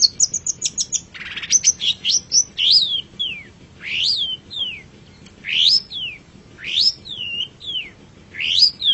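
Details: Long-tailed shrike kept as a pet, recorded for training songbirds: quick chips, then repeated slurred whistles that rise sharply and fall, each followed by a shorter downslurred note.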